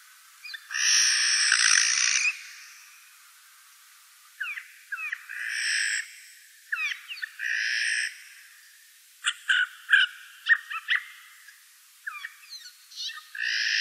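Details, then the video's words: Daytime calls of a Eurasian jay: a long harsh rasping screech opens, followed by scattered short hooked chirps and clicking notes in uneven bursts. "Eichelhäher am Tag"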